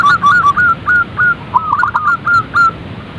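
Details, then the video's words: Zebra dove calls, played to prompt other zebra doves to start calling and sing often: a series of short, soft, slightly rising whistled coos, about ten in three seconds, with quicker overlapping notes in the middle, over faint background hiss. "Panggilan suara perkutut agar cepat bunyi & gacor | zebra dove calls bird"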